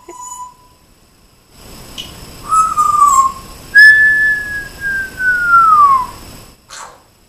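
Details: Pet African grey parrot indoors producing clean mimicked whistles: a short wavering tone, then a long sustained whistle sliding smoothly downward, with faint clicks and a brief rustle near the start and end.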